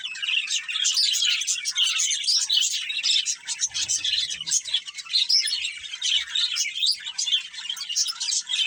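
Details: Budgerigars of a breeding pair keep up a busy, high twittering warble, with quick scratchy chirps tumbling over each other. A brief soft low rumble comes near the middle, and the chatter otherwise runs nonstop.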